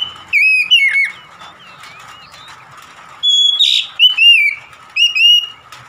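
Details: Oriental magpie-robin song, used to get a stressed, silent magpie-robin singing vigorously: loud clear whistled phrases with sliding, slurred notes in two bursts separated by a quiet pause of about two seconds, with a steady faint tone in the background.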